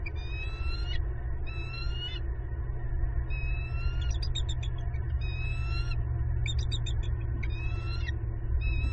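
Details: Bald eagle calling at a southwest Florida nest during egg hatching, December 26, 2021; series of high, harmonic, rising whistles and sharp chittering notes repeated about every second, over constant low-frequency hum.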